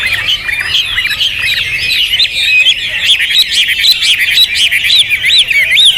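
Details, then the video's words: Hwamei song from a bird praised for loud volume and rich material: quick looping whistles, rising and falling rapidly in a lively run of about two notes per second. "Hwamei Raja Tega Volume Dasyat Materi Mewah Jawara 3 Sesi"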